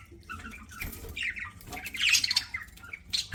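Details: Budgerigar chirping as it eats, giving a dense run of scratchy squawks and bright warbled chirps that grow louder near the end, over faint low hum.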